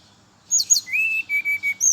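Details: Morning song of a brown-chested jungle flycatcher, played to attract others of its kind: high twittering notes lead into a long, steady, lower whistle that breaks into short repeated pieces.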